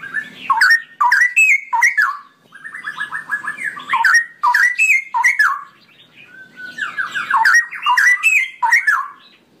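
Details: Straw-headed bulbul, locally cucak rowo, singing a long ropelan song: rich, loud, gurgling whistled phrases with quick rolling note runs, delivered in two long bursts separated by a brief lull.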